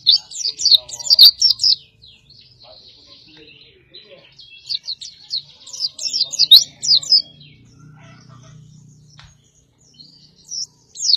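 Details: Master song for training competition birds from an oriental white-eye of the dakun type. Bursts of fast, shrill twittering are separated by quieter soft warbles, with a faint low hum in the background.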